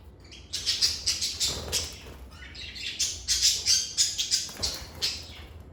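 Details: Lovebirds kept as pets in a calm setting give a rapid run of sharp, high chirps and squawks, about three per second, pausing briefly near the two-second mark before resuming a steady, bright chatter.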